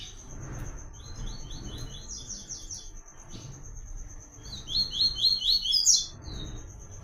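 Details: Song of the white-collared seedeater in the "Tui Tui" style prized by keepers, for training young birds: high, quick repeated notes in short trilled phrases over a steady thin whine, with a louder trill near the end.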